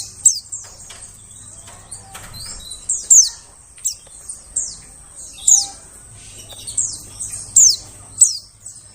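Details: White-eyes calling as a forest bird lure: a busy run of high, thin, descending tsee notes, some overlapping, with a faint low hum in the background.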